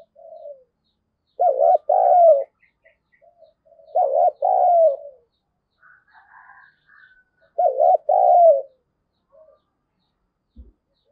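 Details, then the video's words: Spotted dove kept as a lure to goad wild birds into fighting, repeating loud two-part coos with a dipping first note and longer falling second note, about every three seconds, with quieter coos between. "Chim Cu Mồi Thúc Đấu/ tieng cu gay kich boi nhanh noi"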